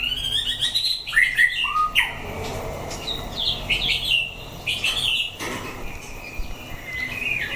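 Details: White-rumped shama in a fighting test, caged, giving a string of varied whistles: falling slurs, short upward sweeps and chattering notes, broken by sharp knocks and low hum.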